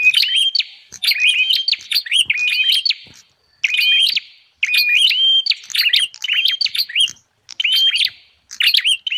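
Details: Bar-winged prinia lure call for attracting wild prinias: loud, high-pitched twittering phrases of quick chirps and upswept notes with clicking, repeated in bursts, separated by a few short silent gaps.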